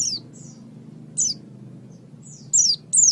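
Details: Oriental white-eye on a master recording for training birds: sparse, thin, high descending whistled notes, single or paired, spaced irregularly over a steady low hum.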